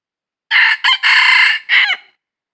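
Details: Wild red junglefowl rooster crow from a junglefowl trapping session, 22 December 2021. After half a second of quiet comes a ringing four-part crow, with its long third note held steady and a quick downward-sliding last syllable.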